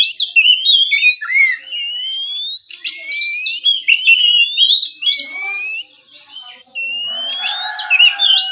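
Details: Oriental magpie-robin at morning in the relaxed ngeplong style: a near-continuous string of long upward-gliding whistles punctuated by crisp high chips, a quieter lull, then loud chattering with a low buzzy tone.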